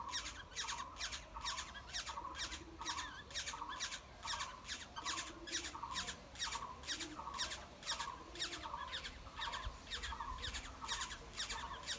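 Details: Black-hooded oriole chicks being fed in the nest, a long unbroken sequence of rasping begging squawks pulsing roughly twice a second with a steady, urgent rhythm.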